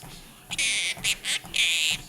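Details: A pet female Quaker parrot, sitting on a treadmill while the owner walks, talks and sings to it, gives four harsh, raspy screeches within two seconds: a long one, two short ones, then another long one, over faint background noise.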